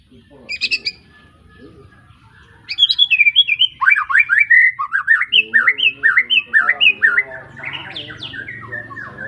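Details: White-rumped shama, young bird just after its first moult, caged, Arko Tangerang bloodline, Pemalang: a high chirp burst, a pause, then a lively string of loud, rapid, swooping whistled notes repeated in quick succession.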